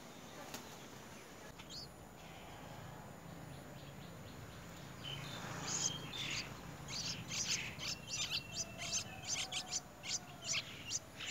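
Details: Nestlings of a white-browed bird being fed a very large insect by an adult break into rapid, high, squeaky begging cheeps that grow louder and more insistent after a quiet start, with faint background hiss.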